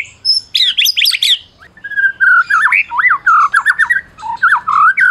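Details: Medan white-rumped shama, a winning bird, in song used to provoke silent shamas: a burst of rapid high chattering notes, then a long flowing run of looping whistled notes.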